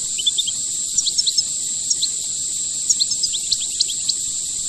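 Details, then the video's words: European goldfinch singing the rare khelwii song style: bright, tinkling twittered notes in quick runs, some rising and falling, over a steady high-pitched whine throughout. "Chant chardonneret khelwii rare"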